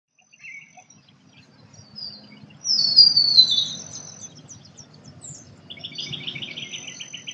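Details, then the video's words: Birdsong in an Australian forest: thin high whistles and trills, a loud descending sweep near the middle, then a rapid repeated chattering series toward the end, over a low background hum. "Australian nature bird sounds | forest birdsong"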